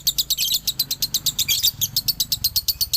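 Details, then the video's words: Dobelan song of a male lovebird from Ciamis: a quick run of sharp, high, ticking chirps, about six per second, bright and metallic, with faint low background hum. "SUARA ASLI DOBELAN LOVEBIRD JANTAN"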